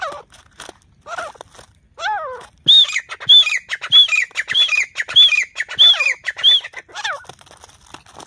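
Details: Grey francolin fighting: a few falling harsh notes, then a steady run of shrill, high arched calls repeated about every two-thirds of a second, before tailing off into scattered rough notes.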